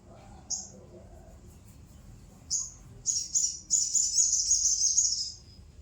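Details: Sooty-headed bulbul song opening with two brief, sharp high notes spaced two seconds apart, then building into a loud, continuous shimmering trill lasting over two seconds, against quiet low background rumble.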